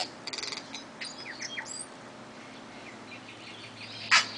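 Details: Tui from a pair heard in an Auckland back yard: a quick burst of rapid clicks, then varied whistled notes, one rising and falling sweep, and a loud harsh note near the end.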